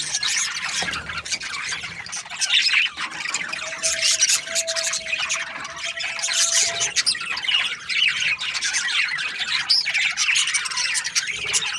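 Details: Australian budgies give high twittering and squeaky warbles in a dense overlapping chorus. A steady whining tone runs through the middle of the passage.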